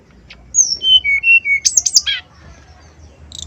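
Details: Male brown-chested jungle flycatcher singing a lure song meant to provoke rivals: pure whistles stepping down from high to lower pitch, four in sequence, then a cluster of sharp, looping high notes and a brief final chirp.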